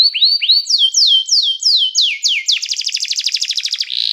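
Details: Training song of a canary calling others to sing. A few slurred upward notes lead into loud descending sweeps, repeated about twice a second, then a long rapid buzzing trill closes the phrase.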